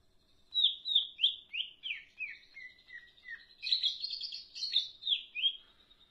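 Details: Leafbird, locally called cak ijo, singing energetically in the rapid darderdor style: a run of clear whistled notes, each sliding downward, about three per second, then a louder, denser warbling stretch of overlapping chirps.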